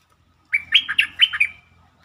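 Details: Bulbul song played as a lure to get birds excited, a well-phrased melody: one bright phrase of about five liquid, bubbling whistles rising and falling, with faint low thumps underneath.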